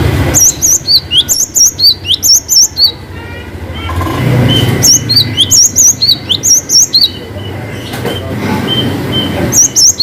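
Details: Cinereous tit in lively long 'wucit' song, meant to prompt reluctant birds to sing: two bursts of quick, high, bouncing whistled notes separated by a stretch of low rumbling background noise.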